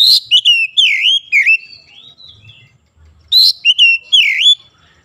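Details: Kacer, or oriental magpie-robin, in the morning sun: rapid slurred whistles dipping and rising, a short pause, then another lively burst of swooping notes.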